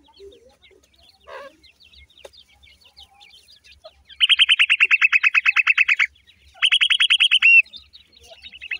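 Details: Young pheasant chicks, little and brown with faint stripes, chasing about in play: faint scattered peeps, then two long loud bursts of very rapid, even high chirps, the second ending with a downward slurred note.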